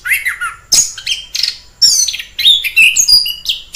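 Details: Orange-headed thrush in the wild mixing harsher squawky notes with clear whistles and high chirps in an uneven, varied sequence.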